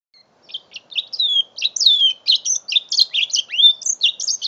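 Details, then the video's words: Young mule canary, five months old, singing a lively continuous warble of high chirps, buzzy trills and upward-sweeping whistles, notes coming about one and a half per second in an uneven rhythm, captured on a phone. "My 5 months old mule canary"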